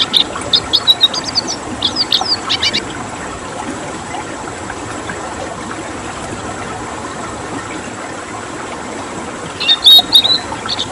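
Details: Red siskin (Spinus cucullatus), song.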